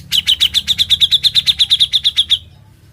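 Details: Grey-cheeked bulbul singing actively in the rapid ngebren style, recorded as a training model for other birds: a fast string of about sixteen bright, even chirps, evenly spaced, then stopping abruptly.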